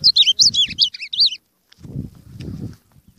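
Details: Ultramarine grosbeak (azulão) with an unusual song: a quick burst of looping, slurred whistled notes lasting just over a second, followed by low thumping and rustling handling noises.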